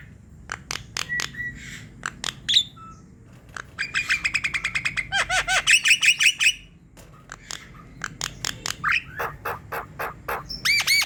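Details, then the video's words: Javan myna in energetic song, a lure for mynas slow to sing: clicks and brief whistles, then a long fast rattling series of buzzy notes, more clicking, and harsh arched notes near the end. "Untuk Pancingan dab mendongkrak bunyi jalak kebo malas berkicau"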